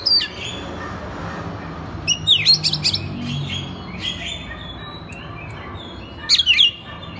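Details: Oriental magpie-robin song for training other magpie-robins: scattered clear whistled notes and quick twittering flourishes in three or four bursts, with quiet gaps and a constant murmur of background noise.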